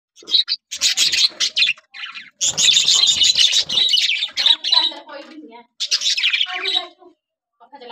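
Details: Breeding-season budgerigars, red-eyed, yellow and sky-blue birds laying eggs, give dense bursts of high, scratchy chirps and squawks in rapid irregular runs, with brief pauses between bouts.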